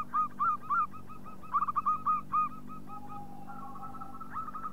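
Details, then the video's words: Local zebra dove cooing as a lure for other doves: clusters of short, rolling coos in quick groups, then a long flat lower note and a final run of rapid coos, over a low hum. "Panggilan Perkutut Lokal"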